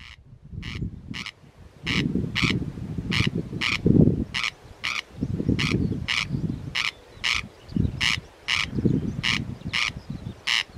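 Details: A corn crake, heard but unseen near the Priory on Oronsay off Colonsay, repeats its dry, rasping double 'crex-crex' steadily, about twice a second, over low rumbling background noise.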